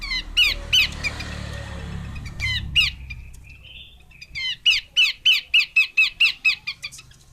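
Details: Two runs of harsh chattering notes from a female Horsfield's babbler, a short run first, then a long evenly spaced series of about ten grating downslurred notes.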